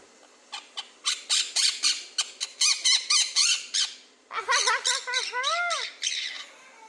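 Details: Pet quaker parrot kept by a family, raised from two to three months old, vocalising indoors: a rapid run of harsh broadband squawks, about four per second, then clear rising-falling whistled notes with bright harmonics.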